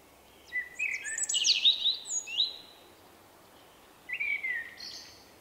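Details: Unusual individual song of a shy male Common blackbird, March 2024: a mellow fluted phrase that rises into sliding high notes, a pause, then a second shorter whistled phrase.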